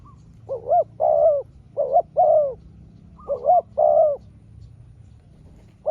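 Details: Spotted dove answering a rival small-voiced wild dove, the two trading calls in turn: low, mellow paired coos, a short note then a longer slurred one, repeated at uneven intervals with quiet gaps.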